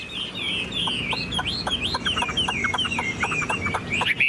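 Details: Caged tame Chinese hwamei repeating bright, rising-then-falling whistled notes at a quick, even pace, accompanied by soft ticking clicks throughout.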